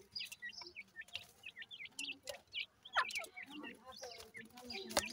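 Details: Several grey francolin chicks give brief high chevron-shaped peeps in loose bursts, interrupted by occasional sharp clicks and soft low murmurs.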